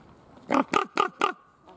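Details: Common raven calling in a zoo enclosure at Schönbrunn, February 2020: four rough, croaking calls spaced about a quarter second apart, each with a rich, grating tone, over faint background hum.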